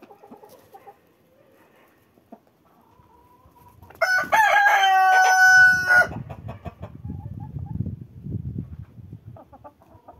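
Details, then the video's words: Cockerel crowing while walking in winter: after quiet faint clucks, one loud harsh drawn-out crow lasting about two seconds, followed by low rustling and crunching footsteps. "Cockerels crow while walking in winter."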